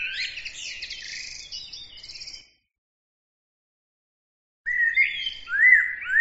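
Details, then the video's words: A small bird gives a dense, scratchy twittering burst, then falls silent for about two seconds before resuming with sharp whistled slurred notes that sweep up and down, repeated quickly. "bird عصفور"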